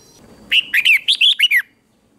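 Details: Competition-style singing of a red-whiskered bulbul, used for training birds: a quick phrase of about six clear, looping whistled notes, bubbly and slurred, lasting just over a second against a quiet background.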